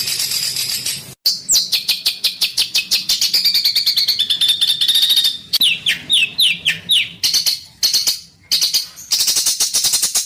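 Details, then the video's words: Harsh, rapid master-style bird song for training competition birds: dense bursts of very high chirps and rattling notes, some sliding downward, broken by short pauses and abrupt cuts, with no other clear sounds. "MASTERAN Burung Denagn Suara Besetan Kasar"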